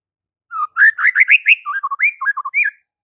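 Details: Singing white-rumped shama, used to prompt a silent bird to respond: a continuous rich phrase of varied whistled notes, rising slurs followed by lower quick notes and a final upward swoop.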